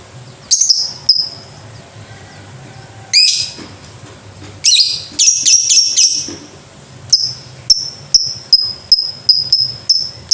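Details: A lovebird calls with harsh raspy bursts first, then a dense run of shrill notes. It ends with a steady series of clipped high chirps repeated about twice per second.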